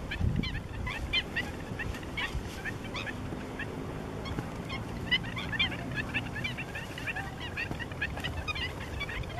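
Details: Slender-billed gulls calling in Cyprus: many short, sharp nasal calls overlap in a busy chorus, with steady low rumbling wind or water noise underneath.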